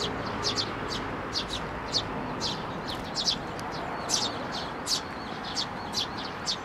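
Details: Sparrows feeding from a hand at a Tenmangu shrine in May 2024 while tending nestlings: a steady series of short, sharp chirps, about two per second, over broad background noise.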